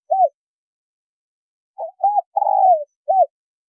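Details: Spotted dove, male and female, calling: a single arched coo, pause, then a stuttered short coo, an arched coo, a long buzzy descending note and a final coo, all low and clear.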